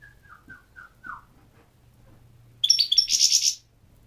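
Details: Goldfinch: a series of five soft, falling chip notes at regular intervals, followed after a pause by a loud burst of high, buzzy, rattling twitter.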